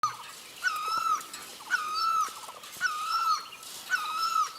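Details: Great barbet calling for a mate: four loud nasal notes, each with a sharp start then a drawn-out level tone with rich overtones, spaced about a second apart over quiet rural background.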